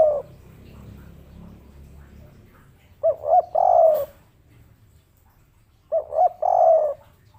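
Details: Spotted dove of local stock, 'kuk 3' style, gives two short phrases about three seconds apart, each with two quick rising coos leading into a longer burred note that slides down; a faint low hum precedes them.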